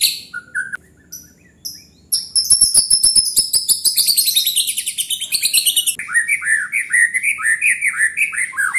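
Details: Singing gacor, a white-rumped shama gives a rich, varied phrase. It opens with scattered high whistles, moves into rapid clicking rattles and buzzy trills, then ends in a fast run of repeated downward-slurred notes.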